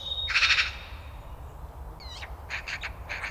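A Eurasian magpie gives a harsh, scratchy burst, then a pair of squealing whistles and a fast, chuckling rattle of about five dry notes.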